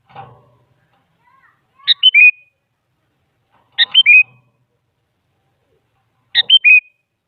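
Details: Sooty-headed bulbul song used as a lure so a quiet bulbul joins in, female calling male; three clear whistled phrases, each a quick high note dropping to a sustained level whistle, spaced about two seconds apart, faint bump at the start.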